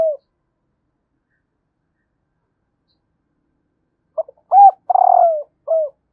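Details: A female spotted dove calling to excite males: a cut-off falling coo at the start, a long silence, then a full phrase of brief note, arched coo, vibrating descending croo and closing drooping coo.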